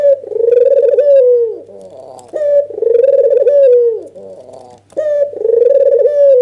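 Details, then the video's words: Agitated nodding call of a red-eyed albino white dove, meant to goad a rival into calling: three rolling, vibrating coos about two seconds apart, each starting with a short sharp note, low hum behind. "Suara PANCINGAN burung PUTER PUTIH MATA MERAH full ngangguk EMOSI bikin Lawan GEGER"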